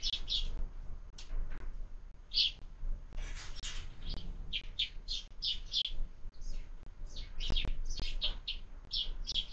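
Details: Sparrows at a window-mounted feeder during breakfast, fed year-round: short, bright chirps from several birds in quick, uneven series, bunched in bursts with brief pauses, over a low steady rumble.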